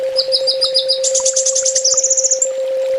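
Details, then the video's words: Master song of the kolibri ninja sunbird in full tembak style: rapid high, tinkling trills in three runs, each stepping slightly higher, with a constant low hum underneath. "Suara masteran burung kolibri ninja full tembak"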